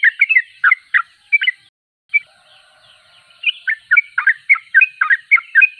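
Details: Sooty-headed bulbul in lively song: quick chattering phrases of short slurred chirps, a brief pause with a faint steady low whistle-like tone, then a longer fast run of rapidly repeated chirpy notes.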